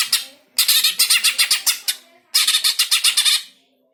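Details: Greater green leafbird, used to stir pet birds into song; loud raspy pulsed chatter in two long runs of rapid grating notes, preceded by a short single burst.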